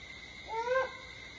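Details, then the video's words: Single drawn-out, slightly rising hoot from a Great horned owl at Starr Ranch, recorded 4:30 AM on 21 September 2011, set against a steady background hum. "Great Horned Owl Calls"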